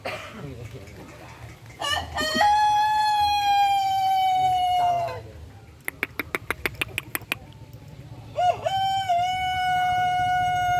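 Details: Chicken giving a long, sharp crow, likened to a cricket's sound. A steady, slightly falling tone is held for nearly three seconds. Then comes a burst of rapid sharp clicks, then a second long level crow that opens with a short rising note.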